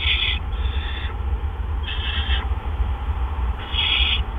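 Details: Barn owls at the nest box on an April evening in 2013 during back-to-back gopher deliveries; three drawn-out raspy hisses, each under a second, separated by short pauses, over constant low background hum.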